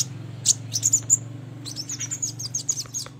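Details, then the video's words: Crimson sunbird calls for trapping lure: a few sharp high chirps, then a twittering sequence of thin, quick notes, over a loud steady low hum. "PANCINGAN PIKAT SUARA BURUNG SOGON"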